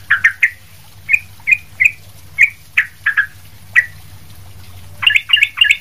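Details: Sooty-headed bulbul, lively song used for training other bulbuls: a short bubbly triplet, spaced single notes about every half second, then a closing run of rapid chattering notes.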